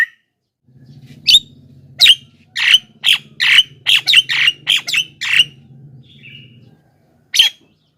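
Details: Javan myna calling to attract wild mynas: one isolated squawk, then a rapid run of about a dozen harsh, grating calls, and a final squawk, over a steady low hum.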